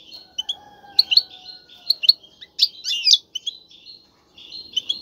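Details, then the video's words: Male European goldfinch kept in a cage, calling repeatedly to urge a female to mate: sparse, thin high chirps and short twittering bursts over a faint hum and a low steady tone. "مقنين يغرد بقوة💪, سوف يجبر انثى الحسون🐦 على التزاوج👫"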